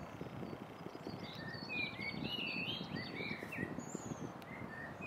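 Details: On 11 April 2023 at Plečnikove Šance in Ljubljana, a European robin (Erithacus rubecula) sings thin, high, tinkling sliding and warbling phrases in quick varied bursts over a steady low rumble of distant traffic.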